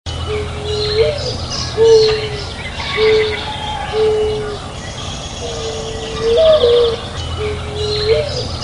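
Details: Dove giving a series of low, steady, even-pitched cooing notes, about one per second, some ending in a slight upturn, with faint chirping birds and a constant background rumble.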